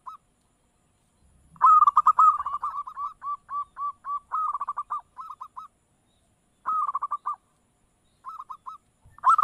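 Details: Perkutut, a local zebra dove, in a long sequence of bubbling coos. Dense rolled phrases give way to spaced single hooked notes, then more trilled bursts separated by short gaps.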